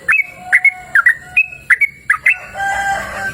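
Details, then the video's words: Sooty-headed bulbul singing in open, cool natural surroundings: a rapid series of bright whistled double notes, about two per second, followed by a brief burst of rustling noise. "Suara Merdu Burung Trucukan Gacor!"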